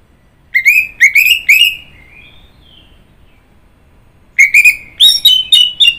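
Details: Orange-headed thrush singing: a burst of loud, rich whistled phrases around the middle-high range, a pause of about three seconds with only faint trailing notes, then a second run of quick repeated whistles and warbles.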